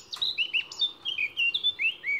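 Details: Eurasian Blackcap song with a tense-lipped sound: a short phrase of clear, slurred whistles, some rising and some falling, finishing on handsome pure final tones.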